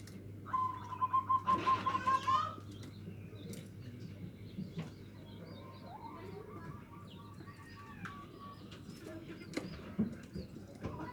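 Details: Local zebra dove in the nutut song style, used as a lure to provoke rival birds. A rapid beaded string of short cooing notes rises at the end over about two seconds, followed by fainter scattered notes over a steady low hum.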